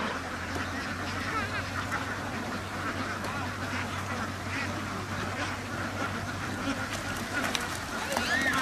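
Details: A flock of ducks on a farm, continuous overlapping quacking over a steady low mechanical hum, with a few louder calls standing out near the end.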